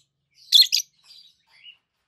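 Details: Peach-faced lovebird, a healthy captive green adult, utters a sharp double chirp, harsh and shrill, followed by a few softer, lower twittering notes.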